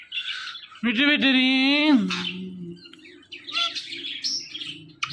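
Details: Talking pet parrot producing a loud, voice-like drawn-out sound with a rich harmonic tone, followed by softer murmuring and scattered high chirps.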